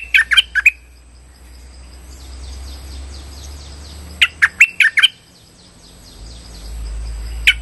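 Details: Trapping lure call of a Streak-eared bulbul: rapid chirping bursts of four to five notes, repeated a few seconds apart, with faint softer chirps from another bird in between and a low rumble in the background.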